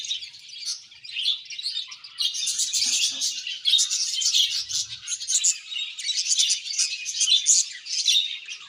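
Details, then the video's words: Colony of budgerigars chirping contentedly; quieter chatter at first, building into dense, continuous high twittering and sharp warbled notes. "Budgies Happy Colony Chirping Sounds"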